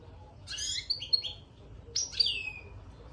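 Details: European goldfinch kept in a cage, soon after entering it, utters two clear, liquid twittering phrases of gliding, slurred high notes about a second apart above faint low hum.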